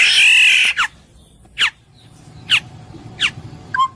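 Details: Black-naped oriole opening with a long, harsh nasal squawk, then several well-spaced single descending chips, each roughly a second apart, against a quiet background.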